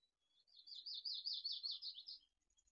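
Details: Young mountain chickadees leaving their nest at Truckee, late June 2020, early morning: one continuous high warbling call, wavering up and down quickly for nearly two seconds, with faint soft knocks beneath.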